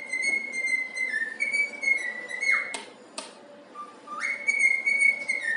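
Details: Happy pet cockatiel whistling the tune "If You're Happy and You Know It": clear, steady whistled notes with a sliding drop between phrases, interrupted by two sharp knocks in the middle before the melody resumes.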